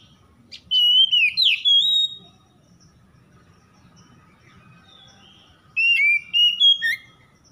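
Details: Oriental magpie-robin morning-dew lure song, used to coax stressed magpie-robins into singing: two loud bursts of clear, sliding whistled phrases, each about a second and a half long, separated by a quiet gap with faint low background rumble.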